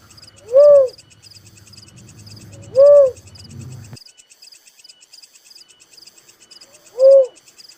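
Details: Little cuckoo-dove giving single low, rounded coo notes, each a short arched hoot, three in total at uneven intervals; steady high insect chirping runs behind, with a faint low rumble midway.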